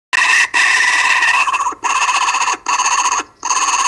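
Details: Several kookaburras on a live cam in Australia, Monday 12/10/12 at 5:55 pm local time, very loud: harsh, harmonic-rich cackling in long bursts broken by three short silent gaps.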